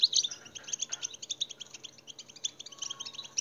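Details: Goldfinch song played to prompt other goldfinches to sing, a fast chain of high, tinkling, evenly spaced chirps with a few brighter accented notes, against a low steady hum.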